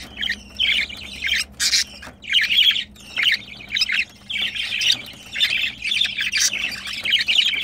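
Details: Mating pair of pet budgerigars chattering with scratchy squawks and warbles in repeated short bursts, one louder harsh burst early on.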